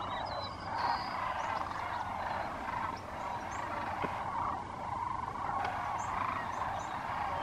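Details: Flocks of sandhill cranes and ducks arriving at a refuge in California at sunset to roost. A continuous wash of overlapping rolling crane calls, one sharp click, and scattered short high whistles. Recorded with an iPhone.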